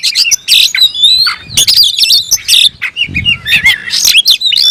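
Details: Kept oriental magpie-robin, singing to challenge a rival, producing dense, varied phrases of slurred whistles, trills and rasping notes with barely any pause, plus soft low-pitched background noise.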